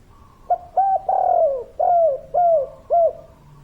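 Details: Local spotted dove in kuk 3 style. One full phrase: a short note, a clipped double coo, a long coo gliding downward, then three shorter falling coos at an even pace.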